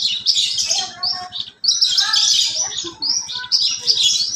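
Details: A kept lark pours out a varied high song reported to imitate sparrows and canaries: quick twittering bursts, scattered lower whistles and short trills, with a brief pause mid-phrase and a steady faint low ticking throughout.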